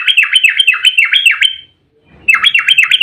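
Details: Excited, fighting Yellow-vented bulbul singing in the tight 'ropel' style meant to trigger replies from other bulbuls: a long series of rapid, sharply swooping notes, then a pause and a second fast run.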